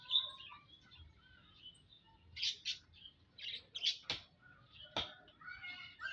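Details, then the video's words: Munias (emprit) kept together in an aviary, 19 April 2025, giving scattered thin high chirps and short buzzy notes, with sharp clicks and a few faint lower tones between. "Kumpulan Burung - Burung Emprit"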